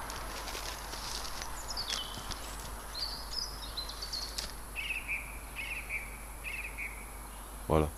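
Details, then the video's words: Song thrush singing at Montbéliard, recorded 26 February and 4 March 2024: distant short whistled phrases, the last repeated three times in a row, over steady background noise, ending with a brief knock. "Chants de grives musiciennes"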